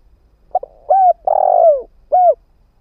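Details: Spotted dove used as a ground decoy bird to lure wild doves: a few low, hollow coos, short notes then a longer falling coo and a final short coo, in quiet surroundings.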